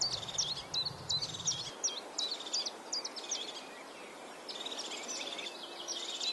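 European Crested Tit giving high, thin notes and short purring trills, repeated in quick bursts, with a faint low rumble at first.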